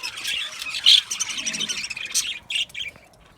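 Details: Aviary colony of Australian budgies calling, bright high squawks and chirps in quick bursts, louder at first and then thinning into a few scattered calls with short gaps near the end.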